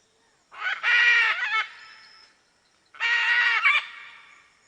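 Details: Macaw producing two long, harsh, raspy screeches about two seconds apart, each grating and loud with a slightly wavering end.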